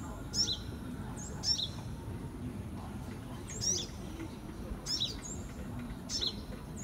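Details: Young sunbird, 2018, uttering five bright, piercing chirps at uneven intervals, each a rapid descending flick, with a couple of faint thin whistles in the gaps and a low background murmur.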